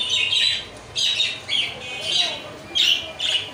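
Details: Lovebird squawking in a run of loud, shrill, grating bursts, about five or six in under four seconds, each harsh and high-pitched with brief pauses between.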